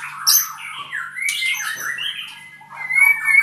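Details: Song of an albino white-rumped shama, a kept bird in Purwokerto: a continuous run of rich whistles sliding up and down, mixed with harsh buzzy notes and high squeaks, with a low electrical hum beneath.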